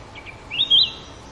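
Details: A sooty-headed bulbul song: two faint high chirps, then one louder, bright, slightly rising whistled phrase, with a soft outdoor hiss behind.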